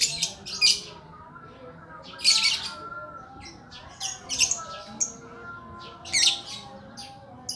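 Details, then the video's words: Lakbet bird giving harsh, raspy squawks at irregular intervals, each a short burst of noisy sound separated by quiet gaps. "Burung ajaib durasi panjang lakbet"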